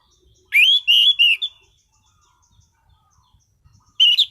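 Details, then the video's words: Orange-headed thrush (anis cendana), kept caged as a songbird, sings a loud phrase of three rising and level whistles, pauses amid faint clicks, then starts another whistle. "Burung Anis Cendana Gacor mapan.!!!"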